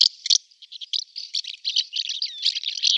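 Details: Barn swallow song passage, a dense jumble of high chattering twitters and buzzy notes with one thin descending whistle near the end.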